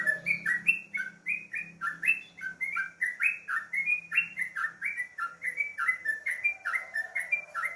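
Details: Sooty-headed bulbul singing in the morning: a rapid, unbroken chain of bubbly, slurred whistled notes, each rising or falling, about three per second, with faint high ticks above and a low hum underneath.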